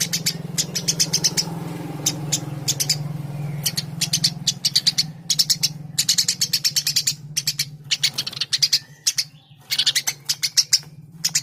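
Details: Eurasian tree sparrow in persistent chatter, groups of sharp chirps following one another for over eleven seconds against a low droning hum.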